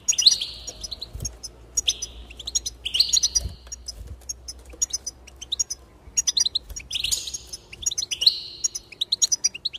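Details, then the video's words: Goldfinch song played to encourage a bird to sing: bright twittering phrases of short high notes and buzzy, wavering tones, arriving in bursts separated by brief pauses, with faint low thumps beneath. "increase the enthusiasm of the goldfinch and encourage it to song"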